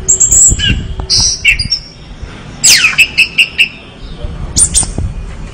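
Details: Orange-headed thrush singing in gacor style: scattered high chirps, then a downward sweep leading into a quick run of repeated bright notes, and a final shrill phrase.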